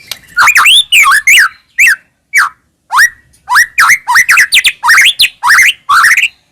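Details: White-rumped shama song used as a lure to make caged birds sing: loud, varied phrases of rising whistles and rapid slurred notes near mid-high pitch, delivered in quick bursts separated by short pauses.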